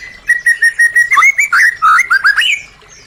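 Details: White-rumped shama (murai batu) song played as a lure to restart birds that have stopped singing: a run of short, even whistled notes, then rich, quick warbled and slurred phrases rising and falling, with bright higher overtones.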